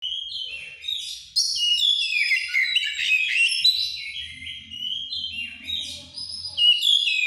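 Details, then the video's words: White-rumped shama in breeding condition, singing: a rich, fast, varied string of clear whistles and warbles, sliding up and down, with loud rippling phrases and a faint low hum underneath. "GACORNYA BURUNG LAGI OVER BIRAHI"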